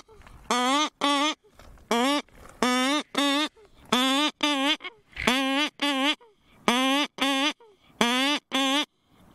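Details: Cory's shearwater calling at a night breeding colony, a rhythmic series of nasal, harmonic cackling notes in pairs, roughly 45 notes a minute, each pair followed by a soft wheezy intake of breath.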